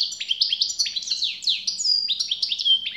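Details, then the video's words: European goldfinch song: a rapid, unbroken stream of high, sweet twittering notes, many swooping down or flicking up, mixed with brief buzzy trills, delivered loud and close with no other sounds. "SAKA ÖTÜŞÜ"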